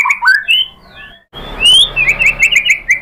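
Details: Murai batu lure recording used to draw song from other birds: a few rich whistled slurs, a short pause, then a long rising whistle and a rapid repeated series of bright chirped notes.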